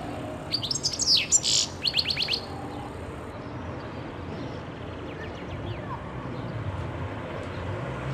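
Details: European goldfinch recorded in 2011: a short burst of rapid, tinkling high twitters and buzzy notes in the opening seconds, then fading to faint distant chirps over low background hum.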